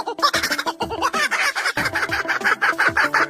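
A kookaburra's loud, cackling laugh: rapid chuckling notes, about three per second, rising and falling in a rollicking burst. Faint background music may be present.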